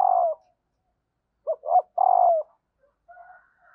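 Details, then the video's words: Female spotted dove call, used to prompt lazy wild-caught males to coo: a low cooing phrase of short notes ending in a longer drawn-out, slightly falling coo, then quieter trailing coos. "tieng cu mai kich trong"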